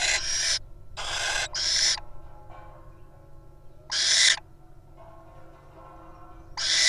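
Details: Inside a wild nest box, little owls make a run of rough, breathy hisses: paired bursts at first, then single bursts spaced a couple of seconds apart.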